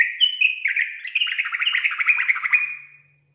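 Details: Sooty-headed bulbul lure: a fast, continuous, bubbling chatter of loud whistled notes that stays fairly steady in pitch for about 2.5 seconds, then fades. It is used to rouse untrained bulbuls.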